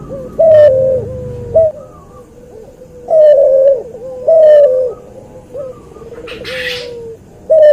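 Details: Cooing hybrid dove bred from a white albino Barbary dove and a pelung Barbary dove, masteran material: repeated loud, low, wavering coos linked by soft drawn-out tones, with a brief hiss of noise near the end.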